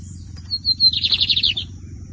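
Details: Lined seedeater (bigodinho) in song competition, 2023 season: a short series of high thin whistled notes followed by a quick buzzy trill of about nine pulses, then silence apart from low hum.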